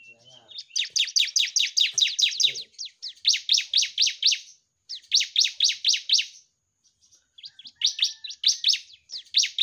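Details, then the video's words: Energetic ciblek, or bar-winged prinia, recorded as a tutor song to get mute cage birds singing: repeated rattling series of sharp, high chirps in bursts of a second or two, with quiet gaps between. "Burung CIBLEK GACOR Masteran Paling Ampuh Bikin Yang Bisu Jadi GACOR"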